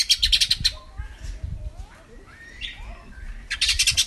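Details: Lesser green leafbird (cucak ijo mini) lure song, used to coax a bird that has stopped singing into voice: dense bursts of rapid, buzzy high chattering at the start and end, with faint slurred whistles and short rising notes between.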